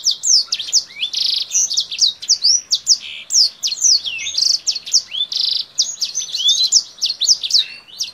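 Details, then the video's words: A Kingthroat in full song, opening its wings and moving up and down, sounding like a Blackthroat, sings a continuous high warble of rapid chirps, sweeping whistles and short buzzy trills with no pauses. "KINGTHROAT GACOR Atas Bawah BUKA SAYAP || Mirip Suara BlackThroat"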